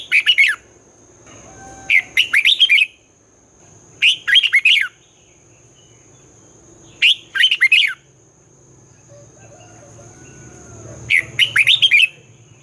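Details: Morning twisting-voice song of a red-whiskered bulbul, meant for training newly caught and white-cheeked birds. Five brisk phrases of rapid, rolling, up-and-down notes separated by pauses, over a steady high whine and low background hum.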